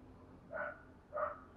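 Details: Decoy spotted dove used for provoking and training new birds, giving two brief, slightly buzzy hooting coos roughly 0.6 seconds apart over quiet background noise.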